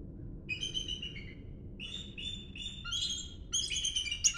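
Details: Bald eagles, heard on a morning walk, give thin, high, piping chitters in quick stuttering runs, several bursts over a few seconds, over a soft low rumble of wind or background noise.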